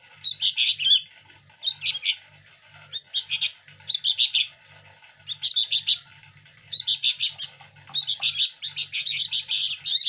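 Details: Hand-reared local sooty-headed bulbul chicks squabble over daily feeding, uttering clustered raspy begging chirps in groups every second or two, growing denser toward the end, over faint hum.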